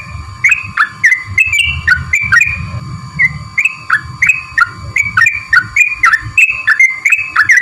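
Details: Sooty-headed bulbul lure recording: a quick series of clear downward-sliding chirps, roughly two per second, over a constant high hum and low background rumble.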